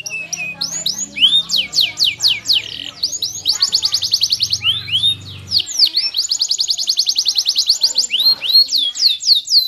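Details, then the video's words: A canary sings at length in high rapid trills of rising and falling sweeps, repeated several times per second. Sharp whistled slurs break up the trills, and a low hum sounds faintly in the first half. "your canary will sing after seeing the maximum handsome canary"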